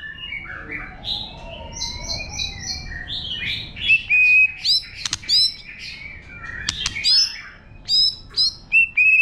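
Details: Forest-style song of a White-rumped shama meant to stimulate other birds: soft fluting warble and repeated short high notes, then loud sharp whistled phrases with clicks, rich and varied.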